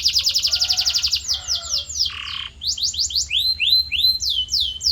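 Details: Canary song played as training audio to shape a canary's voice: fast repeated high trill, then sweeping downslurred whistled notes, a brief buzzy tone, and rising slurred phrases repeated in series.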